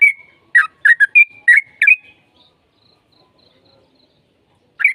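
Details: Lure song of a sooty-headed bulbul, meant to make another bird answer: a quick string of bright, bubbly chirps packed into two seconds, then quiet, and one final chirp at the close.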